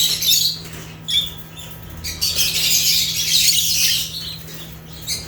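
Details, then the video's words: African lovebirds (Agapornis) producing a few sharp high chirps, then a sustained stretch of dense shrill twittering and squawks, ending with another short chirp; steady low hum present. "Rare African Lovebirds (Agapornis) | Natural Chirping Sounds"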